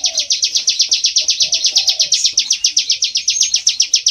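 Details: Bar-winged prinia of rice fields, played to lure the birds for trapping: an unbroken run of quick, high, buzzy notes, roughly four each second, even in pitch and loudness.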